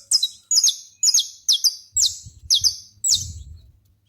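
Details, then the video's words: A saffron finch sings outdoors, repeating loud, high, metallic chip-notes about twice a second. Each note is a shrill, downward-sweeping double burst. Low thuds and a faint hum are heard midway. "canário da terra junto a natureza"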